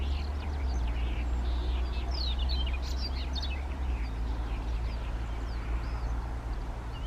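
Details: Siberian rubythroat singing in Kushiro, Japan, on 3 July 2019, recorded handheld with an SX70HS camera; fast scratchy whistled phrases and trills sit high above a heavy low rumble of wind or handling noise throughout.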